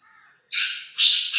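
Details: A black francolin (black partridge) from Chakri, prepared for a trial match, gives two harsh, grating, high-pitched notes in quick succession after a faint, thin whistled sound.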